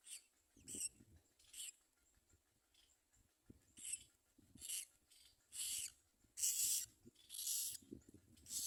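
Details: Common myna with young it is feeding: rasping, breathy bursts, about one per second, quiet at first and then growing louder and longer toward the end.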